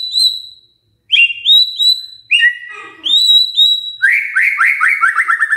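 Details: Magpie-robin lure song: pure high whistled notes, each held briefly then dropping, a brief gap, then a quick descending series of bright buzzy whistles repeated in rapid succession.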